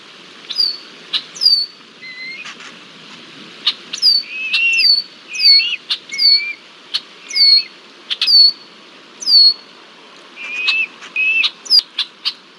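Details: Agitated red-winged blackbird going after a young bald eagle at Decorah, Iowa, on 20 July 2023, calling nonstop with thin descending whistles, lower wavering notes and frequent sharp ticks over twelve seconds.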